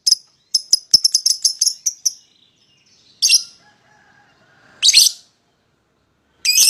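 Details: Lovebird used to lure a rival into singing: rapid run of high, sharp chirps, then a few separate harsh, rasping squawks with pauses between.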